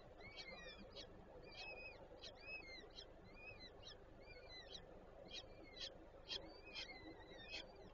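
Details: Peregrine falcons at their nest with three chicks, Żerań district of Warsaw, Poland, 25 April 2024; rapid, repeated high whistles and short, sharp notes, about two per second, over constant traffic-like background noise.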